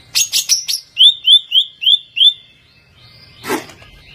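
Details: Overall champion greater green leafbird in song: three harsh chattering bursts followed by five clear rising-falling whistled notes, evenly repeated about three per second, then a short pause and a rough rasping note.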